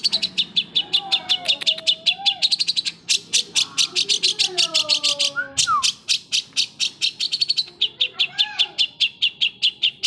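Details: Long-tailed shrike song dominated by a rapid, steady stream of sharp ticking notes, with whistled slurs and short warbles woven between them.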